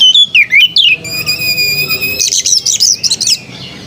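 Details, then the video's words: Melodious white-rumped shama song opening with swooping slurred notes, then a long steady pure whistle, ending in a rapid run of chattering trills. "Burung kacer bersuara merdu"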